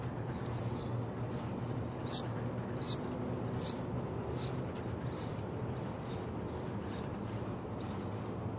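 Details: Loud calls from two young Yellow-vented Bulbuls: a long run of thin, high, squeaky chirps repeated more than once a second, some doubled, with low background hum throughout.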